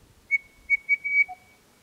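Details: A male Crested Bellbird gives a clear, bell-like whistled phrase: three quick even notes, a longer held note, then a soft lower drop at the end.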